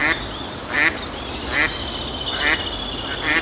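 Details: Eastern spot-billed duck giving its everyday contact calls: short harsh quacks repeated roughly every 0.8 seconds, five in all, over steady background ambience with faint high bird whistles.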